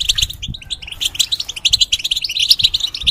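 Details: Caged European goldfinch pouring out a quick, jangling series of high twittered notes and short trills, growing denser toward the end, with light cage taps.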